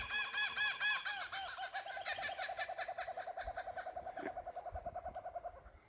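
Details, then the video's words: Laughing Kookaburras calling in Southwest Australia give loud, rolling hoots and cackles that run into a rapid, rhythmic chuckle of about two notes per second, steady and falling away. "the bird call there was a kookaburra"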